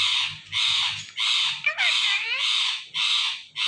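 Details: Indian ringneck parrot giving loud, harsh, buzzy squawks in a steady series, about six calls in under four seconds, each a broad rasping burst with short gaps between, with a faint low hum beneath.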